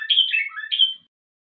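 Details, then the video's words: Short tashyi'a phrase from a Moroccan common bulbul, the song style sung with two variations: two bright, slurred notes framing a falling warble, about one second long, with no other sounds. "تشييعة بتبديلتين لطائر البلبل المغربي chant du bulbul des jardins"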